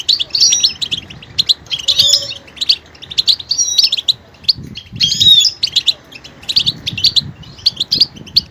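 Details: Goldfinch song with varied vocal details: bursts of high, liquid twittering and slurred whistles in phrases, with soft low background rustles.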